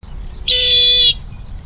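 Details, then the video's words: Bronze-winged jacana giving a single drawn-out nasal, wheezy note with a steady pitch, lasting about half a second, over faint low background rumble. "Bronze Winged Jacana Bird Sound | জলপিপি পাখির ডাক রিংটোন | Jacana Bird Call Ringtone"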